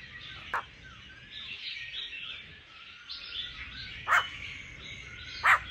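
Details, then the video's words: Female laughing thrush singing to stimulate a male to sing: a soft, continuous warbling of rolling, varied phrases, with a few sharp clicks standing out. "Khứu mái ro kích trống hót căng hót hay"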